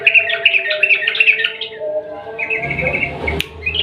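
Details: Sooty-headed bulbul singing its long rapid 'ropel' song to draw quiet birds into song: quick repeated chirps, then a level trilled phrase, with a click near the end.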